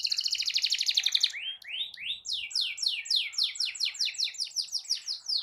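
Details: Canary singing a long rolling song used to provoke other canaries into singing: a rapid high buzzing trill, then a chain of swift downward-sweeping whistled notes repeated about four times per second, loud and clear with no other sounds.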